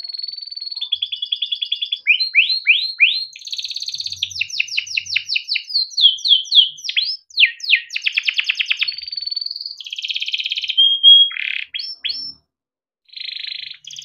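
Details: Long training song from a caged male yellow canary for young birds: level whistles, rapid rolling trills, quick downslurred chirp series and buzzy phrases, with brief silence near the end.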